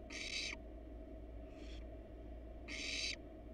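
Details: Harsh breathy screeches, each about half a second long, from a wild barn owl family: the male and female rest on the nest box while the nestlings stay inside. Two loud bursts frame a softer one, over a constant background hum.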